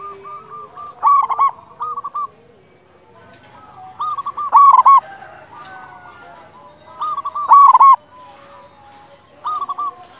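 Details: Zebra dove of a local type in full, loud song, played to raise other doves' urge to sing: four ringing, stuttering coo phrases roughly every three seconds over a soft chorus of distant cooing.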